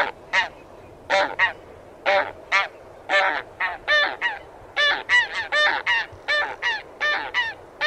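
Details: Honking of taiga bean geese, a dense run of short nasal honks quickening toward the end, possibly several birds overlapping, over a low background rumble.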